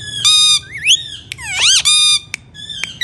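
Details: Alexandrine parakeet indoors uttering loud, flat, harsh squawks of about a third of a second, separated by swooping whistles and sharp clicks, over faint room hum.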